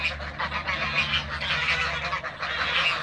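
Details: A crowd of Toulouse geese in a backyard, flying and feeding, keep up a high, thin, overlapping honking without pause, with a low hum underneath.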